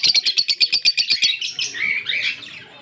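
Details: Green Fischer's lovebirds, a pair, October 16, 2023: a fast series of about a dozen sharp high chirps in little more than a second, running into a twittering warble.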